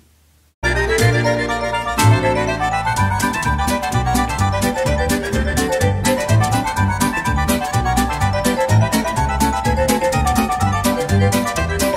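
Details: Lively accordion music with steady bass and chords plays throughout after a brief silence, and no animal voice is heard.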